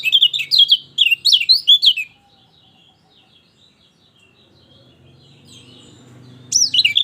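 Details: Lemon-bellied white-eye singing, played to coax a silent bird into song: two quick bursts of high, sweet, warbling twitters, then a quiet gap with faint background hum, and a fresh burst starting at the end.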